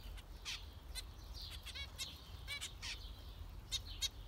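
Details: Zebra finches giving scattered nasal, slightly buzzy beeps and short downslurred calls, a few rapid rattled series, spaced irregularly over faint low-frequency noise.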